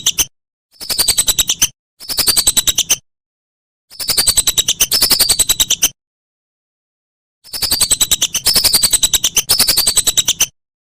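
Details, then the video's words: Whistling duck calls for training songbirds: separate bursts of one to two seconds of rapid, high-pitched chirping with sliding whistles, separated by silent pauses. "Masteran Burung Belibis"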